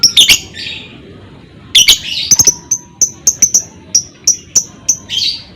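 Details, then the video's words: Lovebird ngekek meant to stir other lovebirds into song: harsh chirps open, then a long run of thin, high, clipped notes spaced about every third of a second, ending in a rougher burst. "PANCINGAN Burung Lovebird CEPAT PANAS Lanjut Lovebird Akan NGEKEK"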